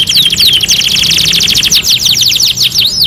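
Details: Brief burst of canary song: a quick descending whistle, then a dense rolling trill of rapid repeated notes, finishing with a few deep V-shaped swooping whistles.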